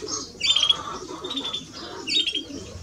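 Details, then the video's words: Male and female greenfinches with two short bursts of twittering and whistled notes about a second and a half apart, over a soft lower background murmur. "Male and Female of Greenfinch - Cantec de Florinte"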